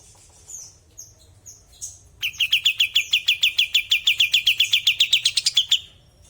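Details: Sooty-headed bulbul singing actively with its natural voice: a few high thin chirps, then a fast run of about twenty sharp, even notes at a steady mid-high pitch, rattled out over three and a half seconds before stopping abruptly.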